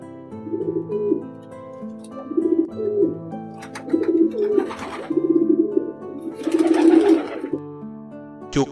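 A pigeon gives soft, low, throaty coos in repeated rolling phrases over gentle background music.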